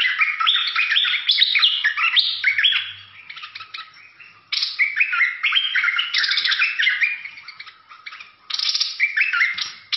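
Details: Fierce-style bulbul song: long bursts of rapid chattering and whistled slurs, each lasting a few seconds, separated by brief quieter gaps, with a weak low hum once.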